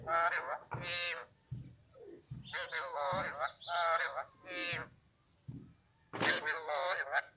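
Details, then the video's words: Raw Alexandrine parakeet talking in a mix of Urdu, Hindi and Arabic: a run of short, nasal, word-like phrases with strong harmonic bands, separated by brief pauses, plus a few softer low murmurs between the phrases. "Amazing super talking raw Alexandrine parrot Urdu / Hindi / Arabic"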